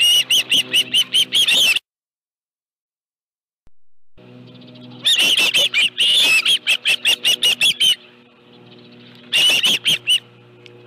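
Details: Osprey on its nest with a live fish, Dunrovin Ranch, 25 July 2018, 5:23 PM: three bursts of rapid, shrill chirps, about eight notes each, with silent and quiet spells between them.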